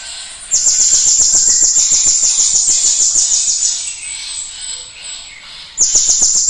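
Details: Cinereous tit in full song, meant to stimulate other birds to sing. A sustained high, sharp trill of rapidly pulsed notes runs about four seconds, fades into softer chatter, then starts again loudly near the end.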